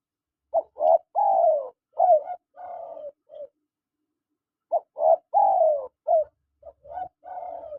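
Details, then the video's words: Paired male and female spotted dove calls: clusters of brief coos capped by a long, falling, slightly rough coo, heard twice with a quiet stretch between. "SUARA PANGGILAN TEKUKUR JANTAN DAN TEKUKUR BETINA"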